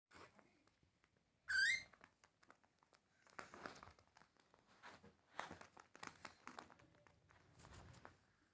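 A cockatiel gives a single loud, rising whistled chirp amid quiet indoor rustling.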